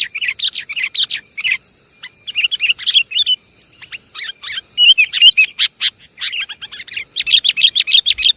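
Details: Lively sooty-headed bulbul lure sound, a noisy Javan kutilang chorus: overlapping quick chirps and liquid warbled phrases in irregular bursts, with brief gaps near two and four seconds.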